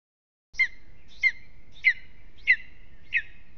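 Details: Lesser spotted eagle at its nest in Latvia on a restless evening: five sharp, yelping calls about every 0.65 seconds, each a clipped high-middle note with a faint trailing tone, over low background rumble.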